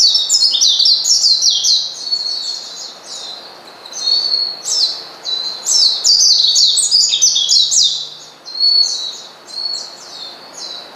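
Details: Oriental white-eye calling out to a rival to provoke it: long runs of quick, very high twittering notes, sweeping down and up, in two main bursts with brief lulls.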